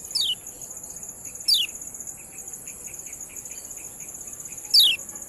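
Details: Kecial kuning giving ciak calls used as a training tutor for show birds: three sharp, high whistled notes sweeping steeply downward, about every one and a half to three seconds, over a steady high ringing hum and softer chirps.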